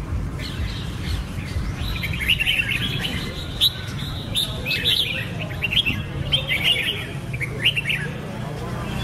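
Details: Red-whiskered bulbul pours out choppy, whistled phrases in several bursts, each a jumble of short upslurred and downslurred notes, over soft outdoor background noise.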